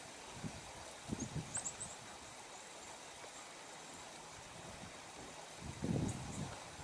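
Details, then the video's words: A female Downy Woodpecker filmed in Pelham on January 30, 2025 pecks with muffled, low taps in short bursts of three or four, with faint high chirps and a steady running-water background. "Downy Woodpecker Pecking"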